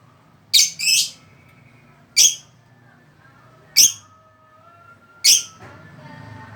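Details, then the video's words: Lovebird making shrill, harsh chirps, some doubled, repeated every one and a half to two seconds over a steady low hum and a faint thin whistling tone. "burung love bird"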